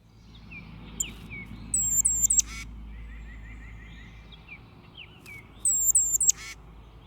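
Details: Tufted Titmouse scratchy nasal call, used to scold other birds or when predators are present, Indiana: two bursts of harsh, raspy notes mixed with high thin chips, over steady low background rumble.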